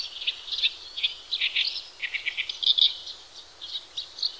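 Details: Horsfield's bush lark in energetic gacor song meant for masteran tutoring of other birds: a long sequence of varied high chirps, slurred notes and quick trills, loud clusters alternating with softer twitters, against a quiet background.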